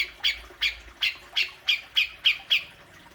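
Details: Cucak jenggot, the grey-cheeked bulbul, giving besetan played to draw kept birds into calling: a steady run of loud, rasping squawks repeated about three times a second.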